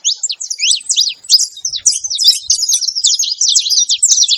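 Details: Saffron finch singing a fast, dense run of high, sharp chirps and short slurred notes, one after another without pause, bright and piercing throughout, with only a few faint low knocks in the background.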